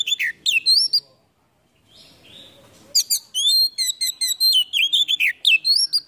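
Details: Oriental magpie-robin with a fully filled repertoire, tail opened in a cobra-like display. Quick whistled phrases are broken by a short hush, then a dense stream of rising and falling notes follows, about four per second.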